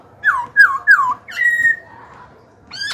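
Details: A young captive black-throated laughingthrush sings three loud, slurred falling whistles in quick succession, then a long steady whistle, a softer low note and a rising final phrase. The song is used to provoke wild birds to fight and for voice training.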